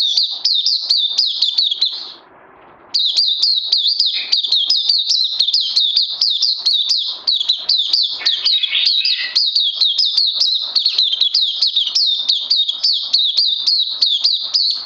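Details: Oriental white-eye in captivity, second day on health supplements, 31 May 2020, delivering long, intense, nearly continuous rapid chirping song of high down-slurred notes, broken by one short pause, with a few lower notes mixed in.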